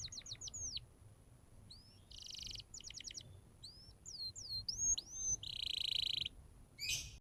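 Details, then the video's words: Canary song used to train young canaries: quieter, broken phrases of short whistled sweeps, small quick note runs and two dense buzzy bursts separated by pauses. "MASTERAN EFEKTIF BURUNG KENARI CEPAT BUNYI NGOCEH GACOR DENGAN SUARA KENARI GACOR INI"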